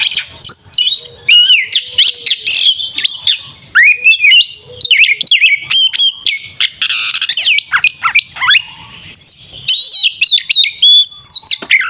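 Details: Aggressive kacer (Oriental magpie-robin) fighting song for provoking a rival: long, energetic stream of loud whistled slurs, mimic-like chirps and harsh buzzy outbursts, nearly unbroken.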